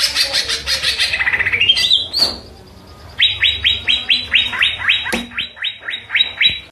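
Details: A cucak ijo (greater green leafbird) sings a rapid twittering stream that climbs into a rising whistle. After a pause comes a long, even run of about fifteen crisp, downward-flicking chip notes.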